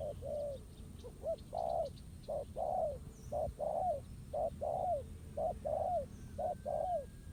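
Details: Spotted dove taken on by a decoy placed on the ground in a trap, calling back: rhythmic low coos, short-long pairs with the long note curving downward, roughly one pair per second, a faint click midway.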